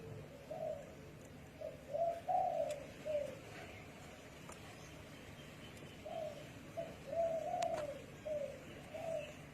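A spotted dove gives soft, low cooing phrases, a few notes rising then falling, repeated twice with a pause between, over faint background hiss.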